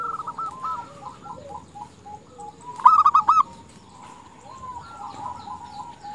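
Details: Female zebra dove calling males to lure them: a loud burst of four quick rolling coos near 3 seconds stands out over a steady backdrop of softer cooing from other doves.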